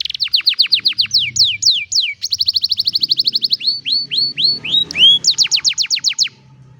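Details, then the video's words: Canary song captured on a cellphone: rows of rapid high notes sweeping downward, a fast even trill, slower drooping whistles, then another quick descending series ending abruptly. "الكناري بالتأكيد ستحب غناء الكناري الجميل هذا Canary Singing"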